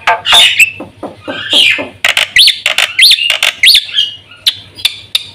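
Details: Black-winged myna song on a lure and training recording for caged birds: harsh, scratchy phrases, then several quick upward-flicking whistled notes and scattered sharp clicks over a low hum.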